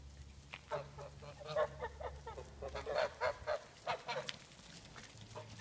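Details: Yard geese calling in rapid nasal honks, roughly four per second and unevenly spaced, strongest in the middle seconds, with a faint low hum underneath.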